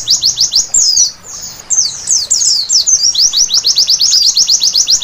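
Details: White-eye at night delivering a high twittering song, a jumbled burst of varied slurred notes, a short pause, then a fast even series of sharp descending chirps.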